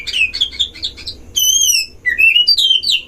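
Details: Caged Oriental magpie-robin at a breeding enclosure, duel song meant to provoke rivals: quick series of chirped notes, then a long clear wavering whistle, followed by rising and falling whistled slurs.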